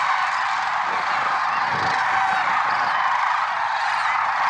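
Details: Early-morning chorus of lesser sandhill cranes at Merced National Wildlife Refuge, February 6, 2023; many overlapping rattling, bugling calls merge into a steady wall of sound, with a few clearer rising notes standing out.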